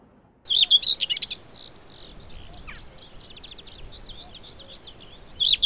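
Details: Common whitethroat (Sylvia communis) singing at Audierne Bay, Finistère, Brittany, France, late April–early May 2022: a fast scratchy warbling phrase, quieter chattering notes, then another brief scratchy burst.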